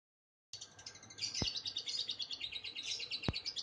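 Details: Lovebird singing in the 'liyer konslet' style, a long run of rapid, high, buzzy chattering twitters of about three notes per second, steady throughout, with two sharp clicks in the background.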